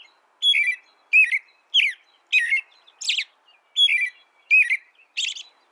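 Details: Canary repeating a clear, whistled two-part chirp, a high note dropping to a lower one, about every three quarters of a second, with some buzzier notes mixed in; nothing else audible.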